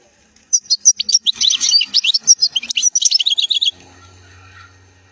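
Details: European goldfinch in full song, a wild-style recording for training fledglings: three seconds of rapid, dense, high twitters and trills ending in a fast buzzy rattle, followed by a low steady hum.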